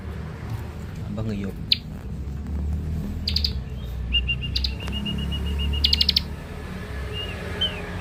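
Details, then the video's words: Young Scarlet-headed flowerpecker with a lure song: a few brief buzzy rattles, then a fast run of thin, even, high tsip notes, fairly faint against a strong low hum. "Ciblek dakun muda pikat mantap"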